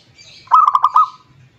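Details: Zebra dove singing to lure a rival, giving one short run of about six quick, pulsing coos, with faint high chirping from another bird behind it.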